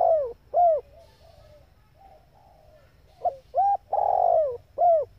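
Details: Female spotted dove calling to stimulate and train males: clear, arched coo notes, short hoots followed by a long slurred coo, with softer low murmuring coos in the quiet gap between phrases.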